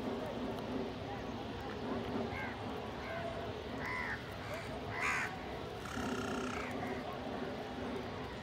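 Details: Several crows gathered to feed together give short rasping caws in scattered bursts, with one louder caw midway, against continuous low rumbling background noise.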